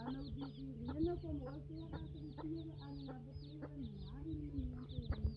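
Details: Free-range hens with baby chicks on a farm: a low, steady murmur of soft clucks runs throughout, overlaid by thin, high peeping from chicks at irregular short intervals, with a constant low hum beneath.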